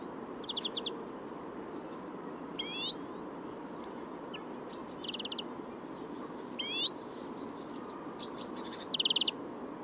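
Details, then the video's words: European Greenfinch (Carduelis chloris) singing in short bursts: quick trilled twitters alternate with steeply rising whistled notes, repeated every couple of seconds over a steady broad hiss. "Зеленушка обыкновенная Carduelis chloris"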